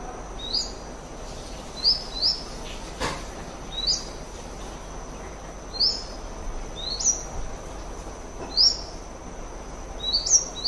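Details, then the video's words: Brown dipper giving sharp, high, clipped 'dzit' notes, singly or in quick pairs every second or two, over a steady rushing hiss and a thin whining tone. "Brown Dipper attractive sound, brown Dipper call"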